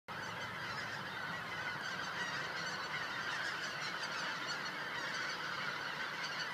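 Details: Several thousand greater white-fronted geese flying overhead at sunset at Cosumnes River Preserve; a dense, continuous chorus of overlapping high honking and yelping calls with no pauses, steady in loudness throughout.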